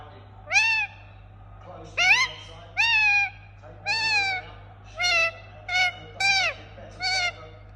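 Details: A run of about ten short, raspy squawks from a pet Indian ringneck parakeet, arching up and then down in pitch, some coming in quick pairs, with a constant low hum behind.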